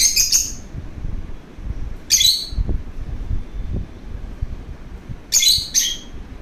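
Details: Lovebird eager to play gives shrill chirps, mostly in quick doubled bursts, at the start, in the middle and near the end, with soft low thumps in between.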